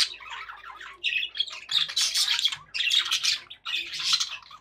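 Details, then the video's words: Happy budgies in noisy, continuous chatter of grating squawks and warbled chirps, with a faint low hum underneath. "happy budgie sounds"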